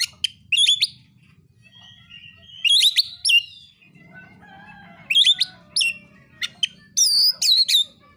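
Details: Oriental magpie-robin singing a fighting song to provoke other birds: repeated loud phrases of harsh chatter ending in curling whistles, softer warbles between, and a bright series of looping notes at the close, with a low hum behind.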